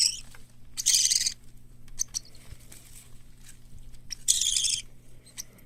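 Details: Hand-reared parakeet chicks of white lovebird, cockatiel and budgerigar, let loose in a room, utter two coarse, hissing screeches about three seconds apart, with soft clicks and shuffling in between.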